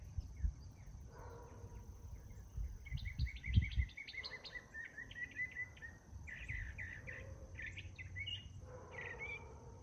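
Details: Northern mockingbird singing in the morning, bursts of repeated clipped notes and trills changing from phrase to phrase, with low thumping noises and a steady background hum.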